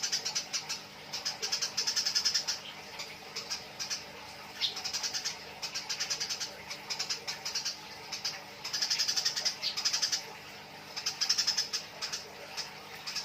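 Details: Eurasian tree sparrows in a fight, nyrecet calls: repeated bursts of quick, sharp, shrill chirps, some sustained over a second or more, alternating with short quieter spells throughout.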